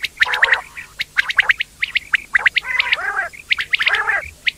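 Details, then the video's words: Indian quail (batair): rapid runs of high chirps broken by deeper, wavering, harmonic churring calls from several birds calling together. "quail sound effect/quail bird sound/quail sound effect video/indan quail bird sound/ batair ki Awaz"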